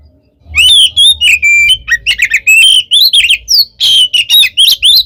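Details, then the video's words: Oriental magpie-robin giving a combative fighting song meant to stir other birds to reply: after a short silence, rapid bursts of clear rising and falling whistles and harsh chirps follow in quick succession over a low background hum. "SUARA BURUNG kacer gacor NGEPLONG tarung ini AMPUH buat PANCINGAN KACER agar EMOSI NYAUT"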